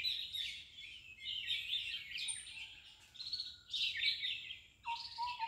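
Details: Red-vented bulbul with babies being fed: bursts of shrill, scratchy chirping come in waves, pausing briefly between them. A short, lower clear whistle closes the sequence.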